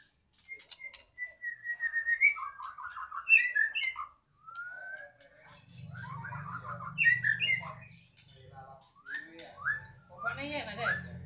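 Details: White-rumped shama from Medan, caged and singing loudly: a series of varied whistles, chattering phrases and fast trills, with a low hum in places.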